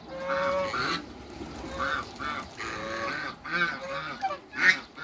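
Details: In a backyard, hybrid Cayuga and Muscovy ducks meet and give hoarse, drawn-out quacks spaced about a second apart, with a thin whistled tone under some calls and one loud closing squawk.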